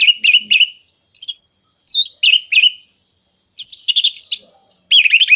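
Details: Orange-headed thrush singing, a lure for moulting or silent birds: short bursts of bright, rolling whistled notes and higher squeaky slurs, separated by clean silent gaps, in a quick, varied pattern.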